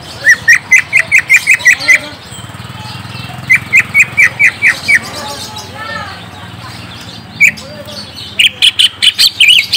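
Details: Sharp, falling chirps of a greater green leafbird, used as a lure so a young bird responds, come in quick even series of seven or eight, separated by a pause, then closing with a brighter twittering run.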